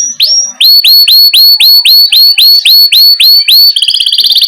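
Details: Canary singing the lively rolling ngerol style, used as a tutor song to prompt young canaries to sing: a brisk run of about twelve loud, rising whistled notes, then a quick, buzzy rattling trill at the end.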